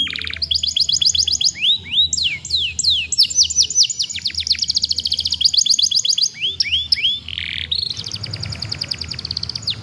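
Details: Song of a young canary, used to prompt other young canaries to start singing; continuous run of fast trills, rising upslurred notes and rapid downward-sweeping notes, changing tempo every second or two, ending in a high buzzy roll.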